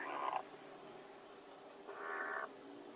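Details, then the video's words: Two hens contest one laying place at the same time; two moderately quiet, buzzy, nasal squawks about two seconds apart stand out over a low, steady hum. "When two chickens fight to put the egg in the same place and at the same time"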